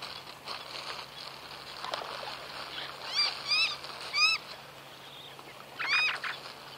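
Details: Sulphur-crested cockatoo uttering a few short, bright, upward-bending calls in quick pairs, then a single louder note after a pause, against soft rustling and a low constant hum.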